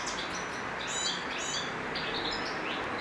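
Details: A male European goldfinch sings in spring, apparently courting and seeking a mate: a quick, tinkling twitter of high chirps and short trills over a steady hiss of background noise.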